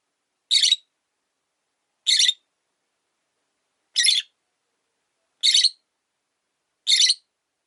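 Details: Lone caged rosy-faced lovebird, its partner having died, repeating loud buzzy high chirps, five in a row, roughly one every one and a half seconds, with clean silence between calls.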